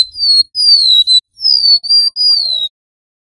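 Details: Golden-bellied gerygone song, male and female in the wild, in the long flute-like gacor nyuling style used as a trapping lure. Four clear, pure whistles, each about half a second, sliding gently downward. Then silence.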